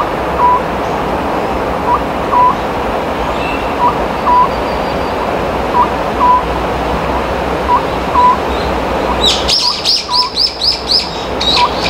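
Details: Oriental scops owl calling at night in spring near a quiet village or forest, its beats said to foretell bad or rich harvests: short hooted notes in pairs and triplets about every two seconds, another bird chattering near the end.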